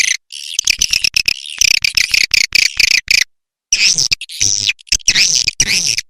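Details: Swiftlet lure call for attracting birds, clean without noise: dense, high buzzy chirps and twitters in rapid bursts, broken by short silent gaps, with longer warbling phrases near the end.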